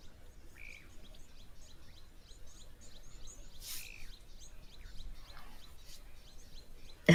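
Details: Blue waxbills at an African waterhole on a windy day, 11 November 2024, give very high, thin squeaky notes in quick scattered bursts, with a few lower slurred whistles, chinspot batises heard too, steady wind rumble and a couple of sharp knocks.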